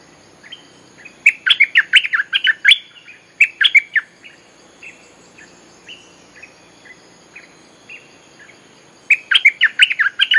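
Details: Bulbul song played as a lure to call wild birds and to teach young birds: bursts of chattering, bubbly notes, then a quieter stretch of scattered short whistles, then another lively burst.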